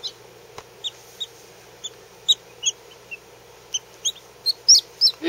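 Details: Day-old Lavender Orpington chick, under 24 hours old, peeping close by: clear, high, short notes repeated roughly three times a second, growing louder and longer toward the end, with quiet background.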